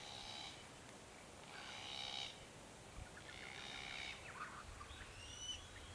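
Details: Foraging South-eastern Glossy Black-Cockatoos (C. l. lathami) on the Kings Tableland, Blue Mountains, NSW, Australia, recorded between March and October 2022. About four drawn-out, wheezy, harsh calls about a second apart, with a faint thin whistle from another bird near the end.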